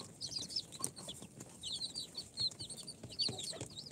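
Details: Cute newly hatched chicks, four days old, from an incubator, mixed Sultan, Golden Sebright, Cochin and booted breeds, uttering quick runs of piercing, descending peeps over faint background clicks.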